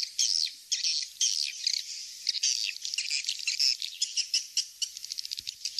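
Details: Recording of swiftlet calls, "Kings Star" type, played to lure swiftlets: loud, buzzy, high twittering phrases in quick succession, ending in a run of rapid sharp clicks.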